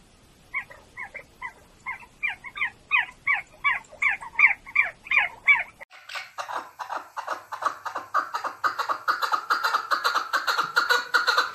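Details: Tajik male chukar partridge (keklik), 2020: quick rasping chuck notes speed up over six seconds, then break into a dense, continuous chattering chorus of overlapping calls.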